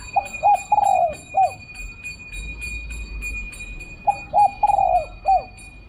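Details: Coo phrases of a spotted dove lured with a decoy in Thailand: short paired notes, then a long purring coo and a final dropping note, heard twice, with a continuous high tone behind.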